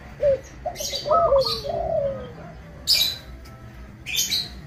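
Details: Singing local zebra dove, prized for a crystal-clear voice and used to lure other doves into calling: a run of soft, tonal cooing notes, some rising, others sliding down, amid sharp high chirps of other birds.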